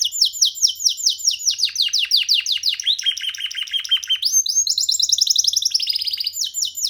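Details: Young canary kept as a pet, perched and singing freely on a person's hand indoors; a fast, continuous warbling song of rapid repeated trills and twittering phrases, shifting between high and slightly lower rolling notes across the whole stretch, with no other sounds.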